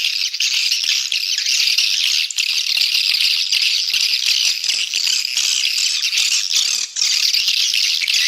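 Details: Swiftlet calling used to attract swiftlets and increase their numbers: a long, even wash of high, insect-like trilling twitters, almost without pause, with faint clicks.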